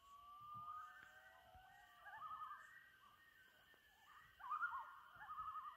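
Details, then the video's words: Loons at sunset on Trout Lake, May 2019, several birds overlapping: long sliding wails and wavering laughing tremolos, loudest burst near the end, faint background hum. "Loons at Sunset on Trout Lake"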